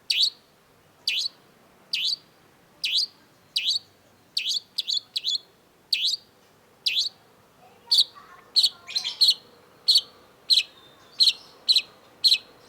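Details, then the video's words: Long-tailed shrike (cendet), vigorous masteran song: sharp high chirps repeated about once a second, then slightly faster, with a brief jumble of twittering notes in the middle. "cendet gacor MASTERAN CENDET BANYAK DICARI PECINTA BURUNG || Long-tailed Shrike"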